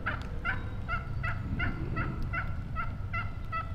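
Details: Series of about ten evenly spaced yelps from a wild turkey hen, each short and slightly raspy, repeated roughly every third of a second over a steady low rumble of background noise.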